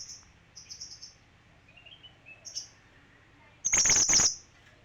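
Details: Male kinoi singing: soft high whistled notes and faint lower twitters, then a loud, rapid, buzzy high trill lasting about half a second near the end, with a low background hum.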